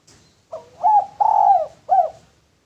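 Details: Cooing of a male spotted dove, used as a lure: one phrase of soft, hollow, hooting notes, a brief note, then a long sustained coo and a final short one, in a quiet setting.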